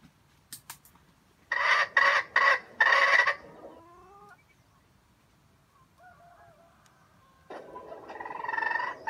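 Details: Trap bait junglefowl giving a stuttering, grinding crow in three harsh chopped bursts, followed by quieter clucking notes and a rougher call near the end.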